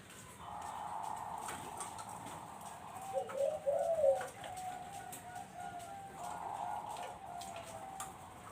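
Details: Barbary dove calling as a lure for zebra doves: soft, drawn-out, steady coos with a brief louder, rolling burst in the middle, over a constant background hiss.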